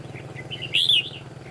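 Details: Red-whiskered bulbul used as a decoy in bird trapping, giving a single bright whistled phrase that sweeps up and down, over a steady low engine hum.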